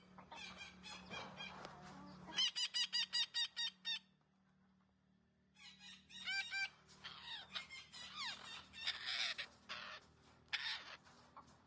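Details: Green parrot calls, described as talking: harsh, stacked squawks in quick bursts, with a run of five evenly spaced notes, then a pause and a dense stretch of overlapping screechy and rising notes, over a low steady hum.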